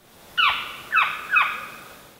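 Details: Northern Saw-whet Owl (Aegolius acadicus) in Illinois, where it visits only in fall and winter (October–March), gives three harsh, rasping, downslurred squeals in quick succession, each about half a second apart, against a quiet background.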